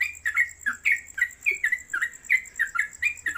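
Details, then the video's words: Yellow-vented Bulbul, locally trucuk, kept caged and hung on a gantangan pole, singing in fast 'konslet kemedol' style: some thirteen clear chirps, rising and falling, in about three and a half seconds, with a faint steady whine. "Trucuk Konslet Kemedol Berdurasi"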